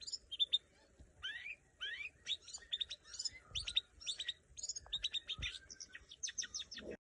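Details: Long-tailed shrike singing during a training session: a dense, fast medley of sharp chirps, rattling bursts and high whistled notes in quick clusters, loud and nearly continuous for seven seconds, with brief low knocks in the background.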